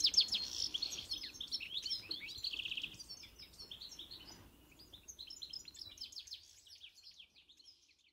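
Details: European goldfinch (pintassilgo, Carduelis carduelis) encarte song, loud twittering and a buzzy trill at first, then softer, quick chirping notes that gradually fade away.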